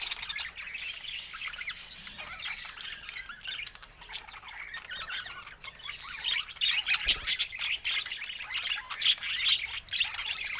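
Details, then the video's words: Steady budgerigar chatter fills the background with high, twittering squeaks and warbles that grow louder and busier toward the end, with one dull knock. "Stunning Budgie Colors & Relaxing Natural Sounds"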